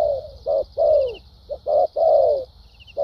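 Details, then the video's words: A wild-caught 'đồng' spotted dove from Vietnam giving a few deep coos. Brief notes are followed by longer ones that fall smoothly in pitch, over a persistent high whine with soft chirps. "Đồng tốt tiếng bài bản.clip 870.nết chơi thúc gù,lèo dặm quá hay"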